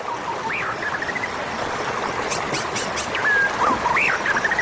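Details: Oriental magpie-robin, a wild bird, heard in a lure recording meant to draw in wild magpie-robins: scattered rising and falling whistled notes and short chirps, with a faint background hiss and soft high ticks.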